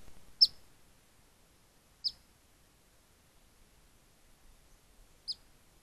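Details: A Black Phoebe, chirping while eating, gives three sharp, high chips, spaced irregularly over a few seconds, against a quiet background.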